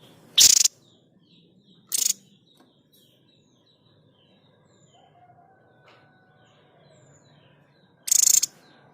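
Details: White-chested babbler's 'tembakan' (shot) sound, used as a tutor recording for training songbirds: three short, harsh, very high buzzing bursts, two close together early and one near the end, with faint high chirps between.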